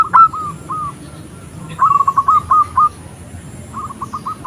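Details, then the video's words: Female zebra dove calling to a male, a call used to lure other doves: short bursts of rapid, clipped cooing notes at a steady mid pitch, in three separate phrases with quiet gaps between. "Suara perkutut betina memanggil perkutut jantan sangat ampuh Untuk memancing suara perkutut"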